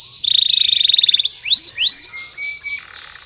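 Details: Short canary phrase: a fast rattling trill, then two loud rising whistles and a few softer clipped notes.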